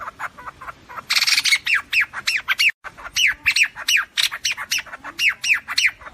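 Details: Flock-gathering call of a white-throated fantail, a trapper's lure: a harsh noisy burst opens, then evenly spaced squawky notes sliding downward, repeated rapidly with a short pause partway.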